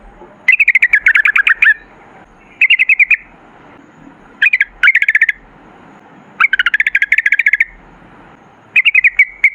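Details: Yellow-vented bulbul singing in bursts, recorded as a lure to get other bulbuls singing: fast rattling trills of clipped notes lasting about a second, separated by short silences.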